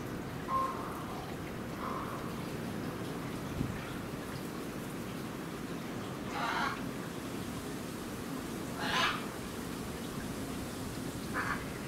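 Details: Hyacinth macaw at Higashiyama Zoo, Aichi, Japan, on 22 January 2019, giving three harsh, raspy squawks spaced a few seconds apart over a steady background hum and distant murmur.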